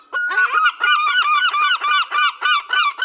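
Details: Gulls calling loudly during feeding: a loud run of harsh, nasal, arched notes repeated almost four times a second, each note with a rich, ringing tone, steady and insistent through the whole stretch with no other clear sounds.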